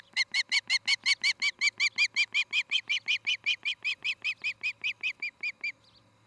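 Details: Osprey calling at its nest in Charlo, Montana, on a mid-August 2018 evening, caught by a nest cam: a long, even run of about twenty-five bright, clipped whistles, roughly four per second, ending abruptly.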